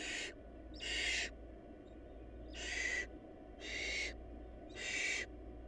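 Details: Barn owl nestlings, with food scarce in the nest, give loud breathy hissing screeches, five bursts about a second apart, against a constant low hum.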